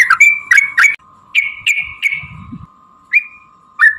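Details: Sooty-headed bulbul in lively, fighting-style song with a long rapid run, used as a lure to provoke other bulbuls to sing: bright whistled notes, each opening with a sharp upsweep, in two quick bursts of three, then scattered single notes over a steady low hum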